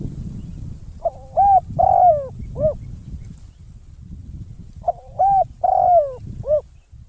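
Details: Spotted dove kept as a decoy bird for trapping, cooing in two phrases. Each phrase is a short note, a rising hooked coo, a long drawn-out falling coo and a brief closing note. Low rumbling background noise.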